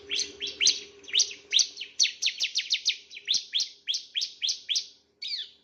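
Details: Bar-winged prinia on a master recording for training other birds, possibly a male, with a lively series of high, sharply downslurred chirps, about three per second, ending with a short pause and one falling note.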